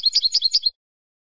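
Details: European goldfinch, a bird kept for silvestrismo in Spain, giving a brisk burst of tinkling, liquid twitters with about seven quick pulses in under a second, then silence.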